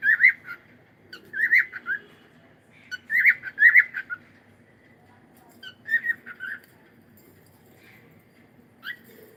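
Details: Cockatiel whistling in the morning: bursts of two to four bright whistled notes with gaps of a second or more, softer single whistles near the end, faint room noise beneath.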